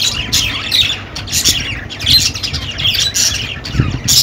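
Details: Budgerigar flock chatter: harsh squawking notes and chirpy warbles tumbling over one another in rapid bursts, loud and scratchy, with a soft low murmur behind.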